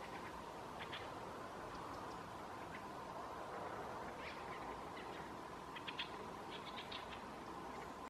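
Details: Fieldfares in late summer in Southern Ostrobothnia, Finland, with an airplane passing overhead: harsh, dry chattering chack notes in scattered short bursts, several grouped near the end, over a steady broad roar of aircraft noise.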